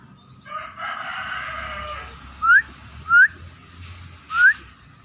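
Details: Scaly-breasted munia beginning to sing in earnest: after a rooster crows, three short upslurred whistles come roughly every second over a low hum.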